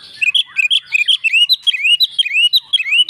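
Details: Oriental magpie-robin in full fighting song, replying to another bird: continuous rapid stream of bright, slurred whistles, many upward-swooping notes, about four per second, clean and loud without other sounds.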